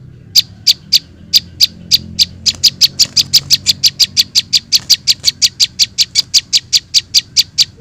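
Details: Prinia chicks, a lure for catching small birds: high sharp chips start spaced and then speed up into a rapid, steady train of about five per second.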